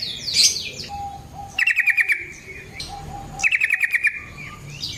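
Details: Yellow-vented bulbul in aggressive fighting song, played to make other bulbuls respond: two rapid rattling trills about two seconds apart, with another bird's higher twitter faintly at the start and end.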